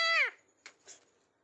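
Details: Ringneck parrot kept as a pet, calling beside its owner: one loud, harsh squawk that drops in pitch, then two soft, brief rustling sounds.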